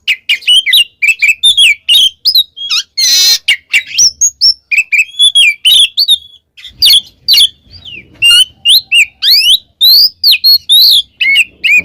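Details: Oriental magpie-robin pouring out rapid gacor ngeplong song as training material for pet birds: crisp repeated whistled chips and slurs in quick succession, with one brief hissing rasp early on.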